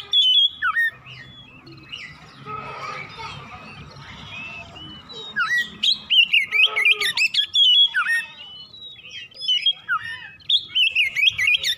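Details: ['Oriental magpie-robin in the morning, a song track for stimulating singing: a loud whistled phrase, a quieter stretch of soft distant chirping, then a long run of rapid, choppy, warbled whistles and sharp notes.']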